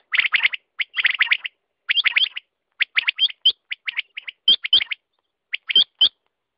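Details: Quail calls: dense runs of short, sharp notes, then slower pairs with little whistled flicks. Sounds like overlapping callers against a silent background.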